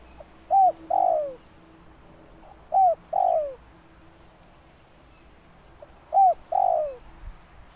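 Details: Spotted dove: a short hooked note followed by a longer descending coo. The pair repeats three times, with gaps of about two to three seconds, against a quiet background.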